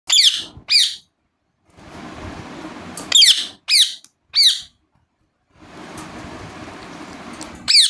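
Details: Rose-ringed parakeet giving sharp, high chirps in short bursts of one to three, separated by gaps, with a steady broadband hiss between calls, indoors.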